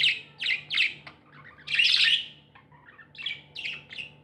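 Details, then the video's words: Happy tame budgerigars chirping: bright warbled bursts clustered in short phrases, with pauses between groups and a faint low hum underneath. "Happy budgies chirping sounds"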